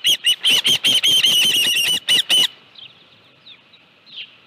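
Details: Osprey at its nest on 25 July 2018 near 5:23 PM, a live fish at hand: a quick run of loud whistled chirps for two seconds, then faint distant calls.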